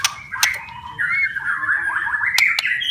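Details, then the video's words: White-rumped shama singing to coax silent or stressed birds into song: a continuous, wavering warbled phrase over a low background hum, broken by a few sharp clicks. "PANCINGAN & TERAPI,, MURAI BATU MALAS BUNYI,, STRES,, DENGARKAN OCEHAN INI,, PASTI GACOR LAGI"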